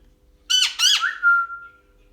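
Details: Male pet parrot, indoors in a playful mood, gives two harsh harmonic squawks followed by a clear, steady whistled tone that fades out.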